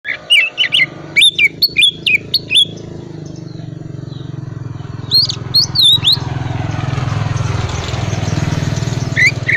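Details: Oriental magpie-robin of the calm 'cold' type, singing vigorously as a lure recording to prompt reluctant magpie-robins to sing: bright whistled and sharply rising notes for the first few seconds, a brief return later, over a steady low engine rumble.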